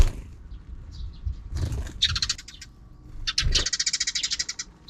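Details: Afternoon sparrows off-screen break into rapid rattling chatter, two dense bursts of fast repeated notes, with a low thud between them.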